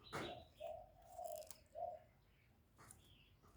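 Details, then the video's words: Decoy spotted dove used for luring wild doves; a knock opens, then three low, smooth coo notes, the last slightly stressed, while small birds twitter faintly in the background. "Cu gáy mồi hạp bổi nghe là gáy, chim cu đất, cu gáy mồi cây, tiếng chim cu gáy gọi"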